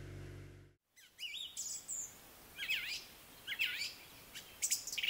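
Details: A song thrush in Ireland sings its complex, celebrated song of varied, clear whistled phrases with sharp rising and falling notes. Each phrase is brief and separated by short pauses, over faint background hiss.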